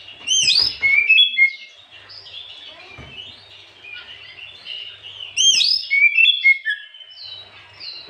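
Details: Oriental magpie-robin singing in the afternoon, used as a lure to provoke other birds: two bursts of bright, rapid whistled and chattering notes, sweeping up and down, separated by about four seconds of quieter twittering, with faint low background hum.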